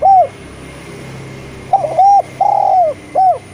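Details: Eurasian collared dove song used as a lure for spotted doves that rarely sing. A single coo, a pause over a low hum, then a three-coo phrase with a long sustained middle note.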